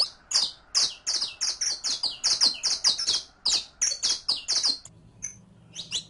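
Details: Steady, rapid string of loud, ringing high chirps from a captive saffron finch, used as a lesson for teaching another bird to sing, about two notes a second, easing off near the end as a low hum comes in.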